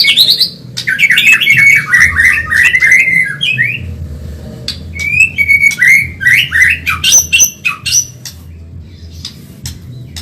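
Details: Fast Medan white-rumped shama song used for training caged birds: a rising whistle opens tumbling, jumbled warbles and high ticks, followed by looping whistled phrases and sharp upward notes; a low hum runs underneath.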